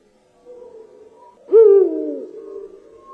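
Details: Eurasian eagle-owl in Poland, the largest owl. A single deep, resonant hoot swells sharply, then slides down and fades over a faint low humming drone. This is the species' distinctive call, more often heard than seen at night.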